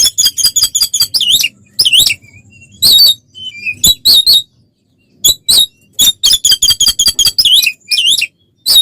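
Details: Oriental magpie-robin in fighting-style ngeplong song, used as bait to provoke other magpie-robins. Fast bursts of harsh, rattling high notes and looping whistles, broken by short pauses, with a faint low hum beneath.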